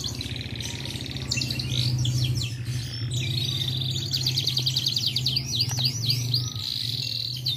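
A canary sings a fast, unbroken run of bright rolling trills and chirps that shift from phrase to phrase, over a steady low hum.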